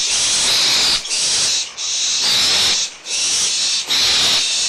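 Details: Barn owlets at Audubon Starr Ranch Sanctuary, April 2011, in an excited quarrel over leftover food: loud, nearly continuous overlapping hissing from several birds, broken by brief pauses every second or so.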